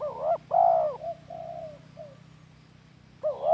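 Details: Lure call of a spotted dove, meant as a tutor call for captive doves: a cooing phrase of a rising-falling first note, a long loud hoot, then softer trailing coos, with a new phrase starting at the end.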